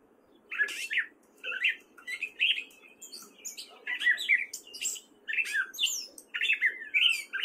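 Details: In Fairfield, Iowa, a male gray catbird sings in spring: mewing, scratchy phrases delivered in short bursts about every second, each phrase different from the last.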